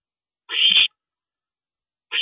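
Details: Owl parent stopping over at the nest at night, 2:40 AM on April 22, 2012: one harsh, raspy hissing burst lasting under half a second, then silence before a second burst starts at the very end.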